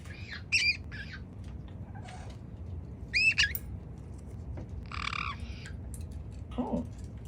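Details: Pet African grey parrot making funny sounds while being offered grapes to eat; scattered short squawks and harsh chattering notes with pauses between, plus a low rasp near the end, over quiet room background.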